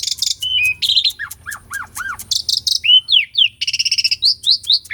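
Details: Asian pied starling, recorded for real as a lure to rouse birds that have stopped singing: rasping bursts, three arched whistles in a row, chattering trills and upswept whistles in lively succession.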